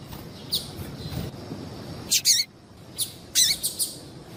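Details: Calls of a female double-collared seedeater used to excite males: a faint early chirp, then two clusters of sharp, high, slightly buzzy chirps about a second apart, with light ambient hiss.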